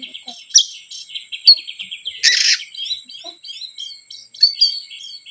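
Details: Oriental magpie-robin lure song for provoking birds slow to respond, a soft high twittering warble broken by one loud harsh burst and a few sharp whistled accents.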